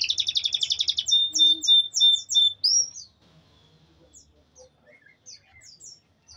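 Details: Canary, offered as real canary sound for a silent bird: a dense buzzy trill for one second, then several paired chirping notes and a rising slur, fading into scattered soft high chips in near silence.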